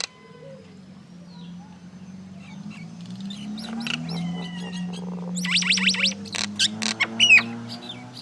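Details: Common myna calling: after quiet start with a steady low hum, a rapid run of sharp, high, downward-sweeping notes, then scattered clicks and squeaks.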